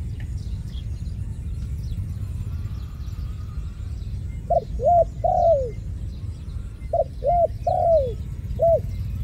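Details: Dove during trapping of ground doves, cooing twice in about nine seconds. Each phrase has a short note, an arched hoot, a long falling coo and a final clipped note, over steady low background rumble.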